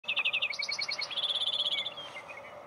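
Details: A lark sparrow at Sandstone Ranch, Longmont, Colorado, on 20 June 2020 sings a quick jumble of rapid high trills, then a series of clear chips, and a buzzy run that slides down at the end.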